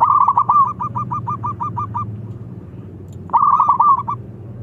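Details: Local zebra dove challenging rivals to sing: a rolling coo followed by a long string of about ten evenly spaced short notes, a pause, then another bubbling rolled phrase, all over steady low background hum.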